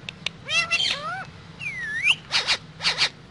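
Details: Parrot kept as a pet, talking like a human: wavering, voice-like gliding phrases, a rising-then-falling whistle, then two harsh paired squawks.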